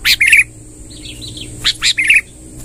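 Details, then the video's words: Sooty-headed bulbul, a lively singer used to draw in wild birds: two short bubbly phrases separated by a quiet gap with a few soft warbled notes, steady faint high whine behind. "suara tembakan BURUNG KUTILANG NGEROL PANJANG"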